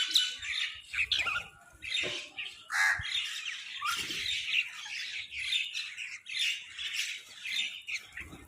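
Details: Crows fighting for food keep up a continuous, ragged squawking, with harsh notes overlapping from several birds and faint thumps in the background.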